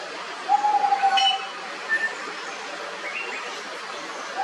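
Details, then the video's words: Malabar whistling thrush giving a clear, steady whistle lasting about a second and falling slightly in pitch, followed by two short higher whistled notes, over a constant background hiss. "Malabar whistling Thrush"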